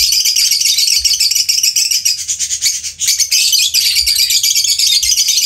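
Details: Pet lovebird during a training session: dense, continuous high-pitched chattering and squeaky twittering, almost without pause, with only brief dips in loudness.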